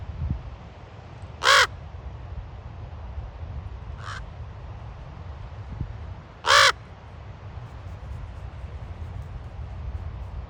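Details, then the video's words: Ravens on Ocean Beach, San Francisco, with two loud, raspy croaks about five seconds apart and a softer, distant caw between them, above a quiet, breezy background. "Raven Reels Ocean Beach San Francisco"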